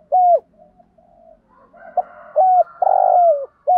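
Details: Spotted dove kept as a decoy, cooing in thúc gù and gáy gọi styles. Low coo notes with falling ends come in a loose series around a long purring note, with soft murmuring and a faint high tone beneath.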